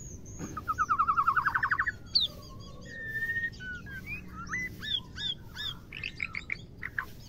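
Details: White-rumped shama female giving a call meant to arouse males for mating: a fast rising trill of rapid notes, then varied slurred whistles and quick upswept chirps in irregular succession, over faint low background hum.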